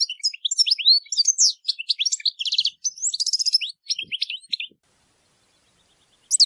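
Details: European goldfinch song for educating captive birds, a clean, dense burst of sparkling twitters and rapid trills lasting about four seconds, then silence.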